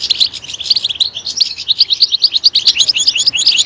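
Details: European goldfinch singing a fast, lively run of high, liquid chirps, about three notes a second, rising into sharper tinkling notes toward the finish.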